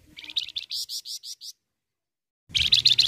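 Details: Full Flamboyan song for prompting other birds to sing: a run of about ten clear, rising chirps, silence for a second, then a louder, denser burst of high chirping.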